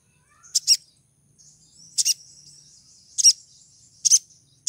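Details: ['Female crimson sunbird in breeding condition calling to attract a male: sharp, high chipping notes in paired bursts roughly every second, linked by faint thin twittering.']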